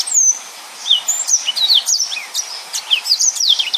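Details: Short stretch of yellow-fronted canary 'nembak' song, tutoring material for other birds: a long high whistle opening, then a quick chain of slurred, down-swept notes and sharp chips.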